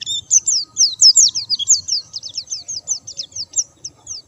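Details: White-eye in full song, bird not given stimulants: a continuous fast series of high, sweet, slurred whistles, about one and a half notes per second, bright and tinkling.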